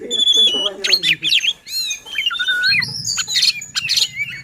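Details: Oriental magpie-robin singing to provoke rivals and lazy singers: varied whistled notes, a long wavering slide, and buzzy chatter, with people talking quietly in the background.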